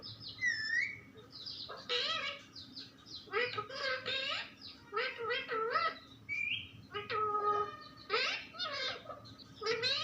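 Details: Parrot talking nonstop in a string of speech-like syllables with pitch glides and short pauses between phrases, over a faint steady low hum.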